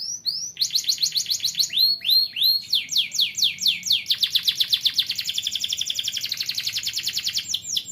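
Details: Young canary song, used to train other canaries: opening rising whistles give way to ever faster trills of short, sharp high notes, ending in a dense, buzzing roll.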